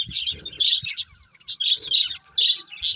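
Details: Budgerigars, a breeding pair of love birds, chirping in short bursts of bright, high twittering notes, several per second, with soft low knocks between calls.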